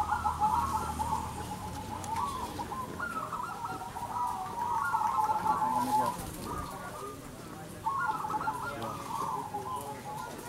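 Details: Zebra doves at a local bird-song contest in Windusari, Magelang, Central Java, Indonesia, sing bubbly, staccato cooing phrases that roll and overlap almost continuously, as though several birds call at once, over a faint murmur of voices.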